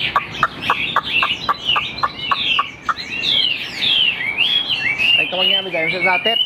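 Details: Tame caged Chinese hwamei singing freely: about ten sharp clicks in quick series, then rich whistled phrases sliding up and down, closing with harsher rapid notes.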